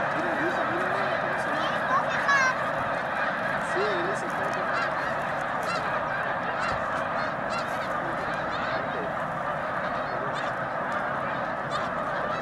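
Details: Immense migrating flock of snow geese gathered at Baie-du-Febvre, between Montréal and Québec City, Quebec: a dense continuous roar of overlapping honks and yelping calls, with a few clearer nasal honks standing out above the din.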